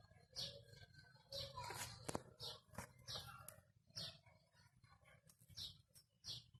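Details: Rose-ringed parakeet (Psittacula krameri), a pet ringneck talking parrot, mimicking speech in short, high, nasal bursts of word-like sounds, about one phrase a second, with a slightly hollow indoor echo.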